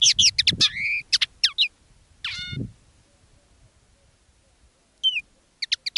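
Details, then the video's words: Decoy common linnet song, two birds in different styles: a dense burst of twittering notes, a rising whistle, a long quiet gap, then a few sharp chirps. "Canto del Pardillo. Dos pájaros de reclamo"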